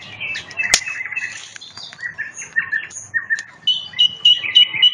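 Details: Nightingale in song at a riverside campfire, delivering varied phrases of whistled and slurred notes, then a rapid repeated pulsing series at the end. One loud snap of the crackling fire early on and a low steady hum underneath.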